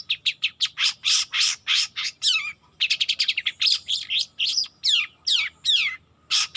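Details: A young long-tailed shrike learning to sing delivers dense chattering phrases of rasping and slurred descending notes, some rapid stutters, with brief pauses between bursts.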